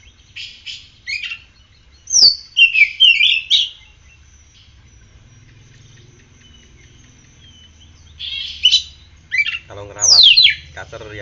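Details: Captive oriental magpie-robin in full song after morning sunning and exposure to morning dew. Bursts of varied high chirps and sharp sweeping whistles come in three spells separated by quiet pauses, over a faint low hum.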